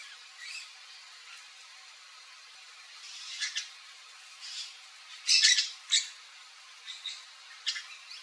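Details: Palm tanager (Thraupis palmarum): thin, high squeaky notes in scattered short bursts, quiet at first, then a louder cluster of sharp chirps mid-clip and several spaced single squeaks toward the end.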